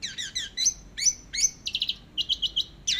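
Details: Orange-headed thrush, teler style, for a masteran: fast run of stacked chirps, then upward-flicking whistles, followed by evenly spaced buzzy rattling bursts about every quarter second.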